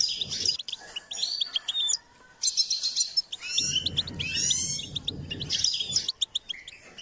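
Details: A goldfinch sings while being encouraged to improve its song: bursts of rapid metallic twittering and buzzy trills, a brief silence near two seconds, then fuller chattering phrases and sharp chirps. A low hum underlies the middle section.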